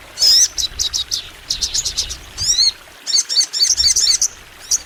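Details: Crimson sunbird, locally called sogon, singing long and at full pitch to provoke other sunbirds into song; rapid bursts of very high, thin ticking notes and quick upswept whistles, grouped in short clusters with brief pauses.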